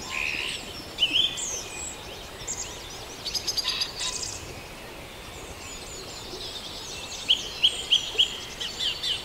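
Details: Farndale dawn chorus with many birds at a distance: a dense high twittering backdrop, a brief noisy burst midway, and a few sharp, quickly repeated chirps standing out near the end.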